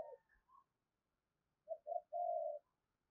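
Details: Distant, quiet spotted dove cooing, used as a trapping lure: two short low coos followed by a longer steady buzzy coo, with faint softer notes at the start.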